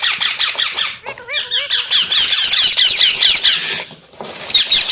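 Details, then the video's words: Parrot chattering in a small room: dense, rapid high squeaky chirps run almost without pause, broken near the middle by a few clear whistled notes that bend up and down, with a brief lull before the chatter resumes. "Amazing Parrot Talking Sounds Videos | Parrot Voice| Mitthu Ki Awaaz | Parrot Ki Awaaz"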